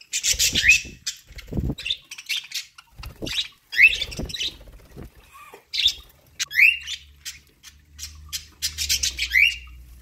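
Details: ['Budgies kept as pets chatter while eating corn: scratchy chirps mixed with sharp rising whistled notes every second or two, plus occasional low knocks and a faint hum.']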